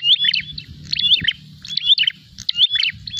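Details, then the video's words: Prinia in combative mood seeking an opponent: a burst of sharp chirps ending in a bright rising whistle, repeated roughly every second, over low rumbling background noise. "prenjak gacor narung mencari lawan"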